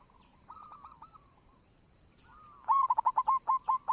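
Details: Local zebra dove used to lure birds: soft stretched cooing notes at first, then after a pause a loud fast series of clipped whistled coos.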